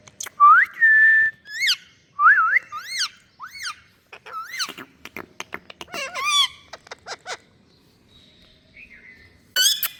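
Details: Indian ringneck parrot talking in a compilation: rising and falling whistled syllables mimicking speech, short bent notes and slurred squeaky words with pauses, clicks between phrases.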